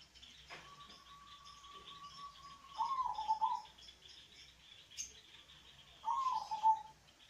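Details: Local zebra dove with a deep, bass voice, played as a lure to prompt lazy doves to sing: a long steady tone runs into a rolling, warbling coo, with a second short coo near the end over a constant high insect-like hiss.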